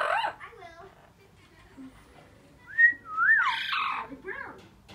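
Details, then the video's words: Four-year-old female Blue-fronted amazon kept as a pet, excited as time to come out nears: soft chatter, a few clear whistled slurs and a louder harsh phrase in a small room. "Blue, The Blue Fronted Amazon..Talking!"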